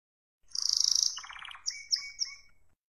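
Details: Spanish Timbrado canary, described as wild, in song: a rapid high metallic trill, then a lower buzzy rolling section, ending in three or four sharp whistled notes, each sliding downward.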